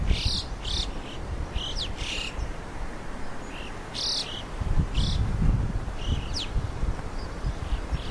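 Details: Wild red-billed chough in Morocco: short, harsh, high calls in loose bursts of one to three, spaced irregularly across the recording, over a steady low rumble of wind.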